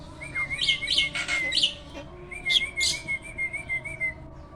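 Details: A caged hybrid myna (jalak) that sings constantly, kept as a master bird to train other songbirds. Harsh chattering bursts alternate with a thin, steady whistled tone near two seconds in, followed by rapid scratchy notes.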